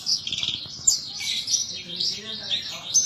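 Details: {'0': "Caged Horsfield's bush lark singing gacor: a continuous high, wavering twitter of rapid chirps with a few sharp peaks."}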